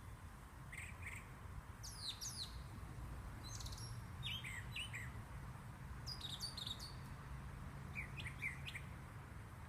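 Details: Sharp high chirps from birds in a yard arrive in small bursts every couple of seconds against a continuous low hum.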